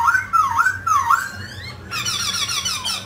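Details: Grey laughingthrush, a mutant bird, singing and dancing. It gives several dipping, wavy whistled notes, then switches abruptly to a rapid chatter of high, buzzy notes, over a soft low hum.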